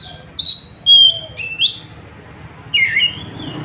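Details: Oriental magpie-robin from Trenggalek, Indonesia, filmed by Android phone, delivering a rival-provoking 'tembakan': a few bright whistled notes and slurs in quick succession, a pause, then a twisting descending phrase, with steady background hiss.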